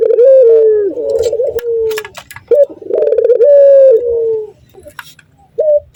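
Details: Male Barbary dove in breeding condition coos at a female: two drawn-out mellow phrases, each rising then sliding down, separated by pauses, ending in a short upward note.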